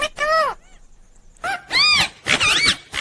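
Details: Green ringneck parakeet voicing loud speech-like phrases: an arching syllable, a pause with a faint echo, then quick bright words with swooping, wavy pitch, near and clear.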